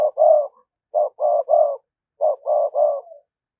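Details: Spotted dove lure bird giving a methodical 'thúc gù' coo to attract wild doves: three loud, low, hoarse phrases, each of two to three cooing notes, separated by short pauses, with no other sounds.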